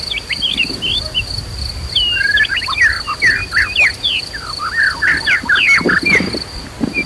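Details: Provocative white-rumped shama song played to rouse a bird's fighting spirit. Dense, varied whistled notes with quick upward and downward slurs run throughout, over a steady high-pitched insect drone and a soft low rumble.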